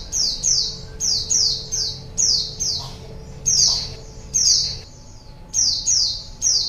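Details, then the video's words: White-eye song used as a lure for wild birds: high, bright descending chirps in quick pairs, repeated about once a second, over a steady low electrical hum. "PANCINGAN SUARA PIKAT BURUNG PLECI"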